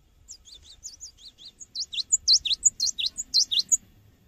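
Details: Cinereous tit in full song, a lure for training birds: soft high twittering builds into a louder run of sharp, sweeping whistled notes repeated about twice a second.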